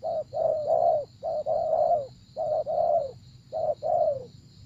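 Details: Spotted dove cooing during decoy trapping, four full phrases of a short note and long mellow coo that drops at the end, delivered close and loud over a constant thin high whine.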